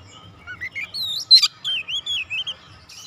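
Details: Oriental magpie-robin kept at home, singing diligently during daily training: a string of moderately loud whistled notes that slur up and down, with one sharp click-like burst in the middle, about six notes per second.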